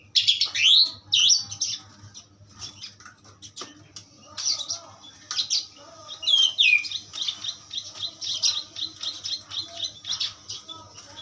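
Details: Asian pied starling in a long, busy song of rapid scratchy chatter, squeaky notes and a few clear whistled slurs, delivered about twice a second with constant low hum behind.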